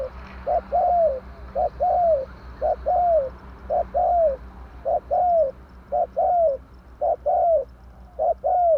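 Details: Spotted dove calling as a trapping lure, tarik akar style: a steady run of phrases, each a short clipped coo followed by a longer downward-curving coo, repeated about once a second over a low background hum.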